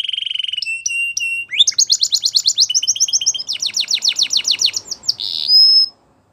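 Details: Belgian canary song: a pulsed trill and short whistles, then a long, loud, rapid series of chopped high notes, closing on a held pure whistle.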